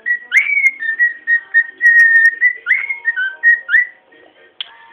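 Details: A pet cockatiel whistles the Match of the Day television theme tune in clear, pure notes with quick upward slides.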